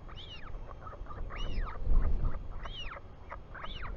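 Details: New Zealand Royal albatross chick, 24 July 2020, calling as its father returns; four arched whistled notes with softer lower chattering between, over strong gusty wind.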